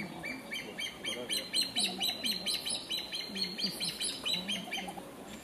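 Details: A calling male African pied hornbill in a forest clearing at Abuko Nature Reserve, The Gambia, December 2015, gives a fast run of high, piping whistled notes, about two per second, while a man's voice talks quietly underneath.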